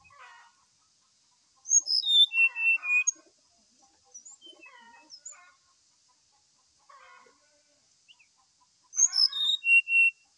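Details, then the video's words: Brown-chested jungle flycatcher in morning song, played as a lure to stir another bird to sing: whistled phrases descending in pitch, separated by softer twittering notes and pauses, a full phrase returning near the end. "SIKATAN RIMBA DADA COKLAT GACOR DI PAGI HARI ,PANCINGAN SRDC"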